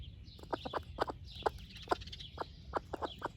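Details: A splash laced red wyandotte hen, broody and tending chicks, clucks in short, irregular pairs and singles as she shares her breakfast. Faint high peeping from the chicks is audible.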